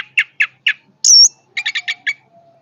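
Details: Three spaced, harsh chirps, a high drawn-out whistle, then a quick cluster of five clipped, buzzy notes, all from a powerfully singing orange-headed thrush.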